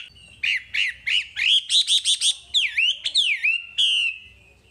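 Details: Wambi singing: a fast, loud string of chirped whistles that rise into a rhythmic repeated phrase, then sweeping downslurred calls and a long fading whistle.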